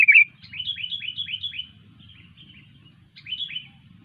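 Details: Lively sooty-headed bulbul song. A rapid series of about six bright, downslurred whistled notes at roughly four per second, fading into softer notes, then a short pause and another brief phrase over a faint low hum.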